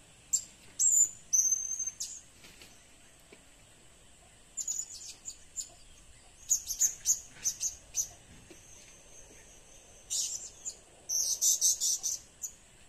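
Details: Lure blue-crowned hanging parrot calling in short clusters of thin, piercing, high chirps, some single notes and some rapid runs, spaced irregularly, with a faint steady background hiss.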